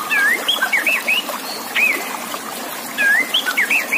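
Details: White-rumped shama contest-training song over steady trickling water: clear whistled slurs and upswept notes around a bright middle pitch, delivered in quick phrases with a short pause near two seconds, then renewed.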